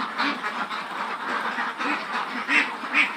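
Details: Khaki Campbell ducks, a flock of around 400 aged over 110 days, at a Muktagachha, Mymensingh farm: rapid, choppy quacks, roughly two per second, with a few louder, sharper ones standing out near the end.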